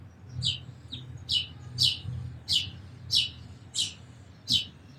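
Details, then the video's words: Sparrow repeating a single high, sharp chirp seven or eight times at fairly even intervals of about two-thirds of a second, with a low steady hum underneath. "Very Beautiful Birds & Sparrows Sounds"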